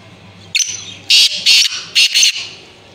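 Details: Female grey francolin calling: a short thin note, then four loud, harsh, ringing notes in two pairs, spaced roughly half a second apart, over faint low background noise.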